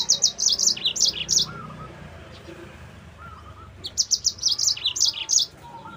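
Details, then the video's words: Energetic Yellow-fronted canary song for tutoring and luring other canaries: two bursts of quick, high chirps and downward-sliding notes separated by a two-second pause, with soft, lower warbles in the background. "MASTERAN BURUNG MOZAMBIK GACOR"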